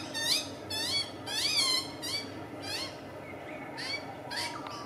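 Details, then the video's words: Magpie chick being fed by its parent, giving a run of loud, harmonic, upslurred begging calls in bursts of about one and a half per second, some notes smeared and rasping, over a low steady background hum. "Magpie & Chick"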